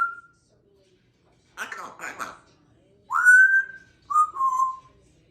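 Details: Pet African grey parrot, chatty in the morning and known for a Star Wars whistle, indoors: two short rough chattering bursts, then a long clear steady whistle and a shorter whistle that slides downward, with quiet pauses between.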